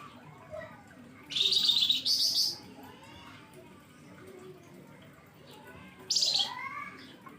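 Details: Flamboyan bird singing in a hot, fiery style used as a lure song: loud high bursts of bright chirping trills near the top of the range, a pair of close phrases then a later third, with faint whistles between.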